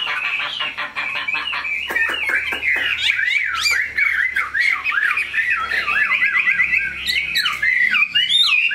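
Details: Chinese hwamei kept as a cage bird, singing a varied, rapid song: sharp clipped notes at first, then repeated looping whistled phrases that swing up and down, with a faint low hum behind.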